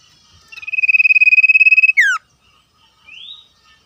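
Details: Common iora singing in the wild alongside other wild birds: a rapid, steady trilled note lasting over a second, then a quick descending slur, followed after a pause by a softer rising whistle from another bird.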